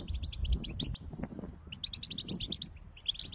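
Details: Goldfinch singing, used to encourage another goldfinch to start singing when heard quietly from afar; bursts of quick, high twittering notes broken by a short pause mid-way, over a faint low rumble.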